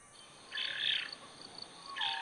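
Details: A young royal spoonbill among a group with white ibis at Coombabah Lakelands, Gold Coast, Australia, begs parents for food with harsh, wheezy, hissing calls: one long burst of about half a second, then a second after a short pause.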